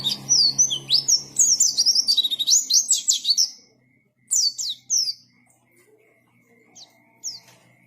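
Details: Energetic song of a white-eye, locally called pleci: a dense, fast twittering run of high sliding whistles for about four seconds, then silence broken by a few sparse, high down-slurred notes.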